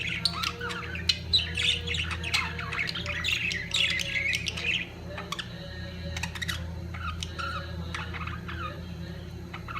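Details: Budgerigars at peak mating time: a burst of loud warbling chatter and squawks for about five seconds, then sparser chirps, with a steady low hum behind.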